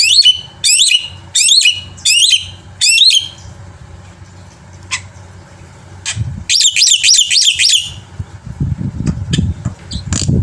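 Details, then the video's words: Energetic black-winged myna song for luring birds to sing: bursts of wavering, looping high whistles in quick groups, a pause with scattered clicks, another rapid whistled run, then low rumbling noise. "suara masteran burung jalak putih gacor full isian"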